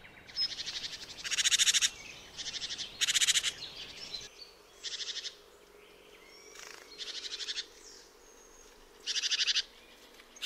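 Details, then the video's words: Great tit, nervous: harsh crackling churrs like machine-gun bursts, resembling a magpie, six rapid rattling bursts each about half a second long, with faint thin whistles between them. "crackling sound of a nervous great tit sounds like a burst from a machine gun and resembles the sound of a magpie. A It"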